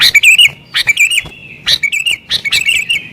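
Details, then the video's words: Agitated sooty-headed bulbul singing to excite other bulbuls: four loud phrases, each a sharp chip followed by bubbling, fluty whistles, spaced under a second apart with brief silences. "Burung Kutilang Gacor Isian Cocok Buat Pikat Burung Kutilang Liar"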